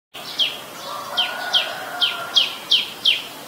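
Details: Ashy woodswallow in Ubon Ratchathani, Thailand, recorded 17 December 2019: seven short, harsh, downslurred notes repeated about every 0.4 seconds, steady and evenly spaced, over a faint low hum.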